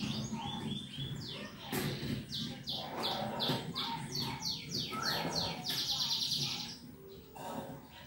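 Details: Canary singing, used to prompt other birds to sing: a lively run of repeated downward-sweeping notes at a fast, steady pace, then a buzzy trilled passage, with a low hum underneath.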